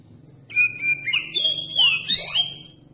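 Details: Oriental magpie-robin singing to provoke other magpie-robins to sing: steady whistled notes leading into rapid rising and falling slurred phrases with a scratchy, trilling finish.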